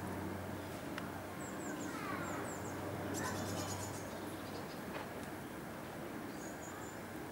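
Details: Short-toed treecreeper in Amsterdam, Netherlands, 6 September 2013, giving thin, very high, slightly falling notes in small bursts of two or three, over a steady low hum and occasional clicks.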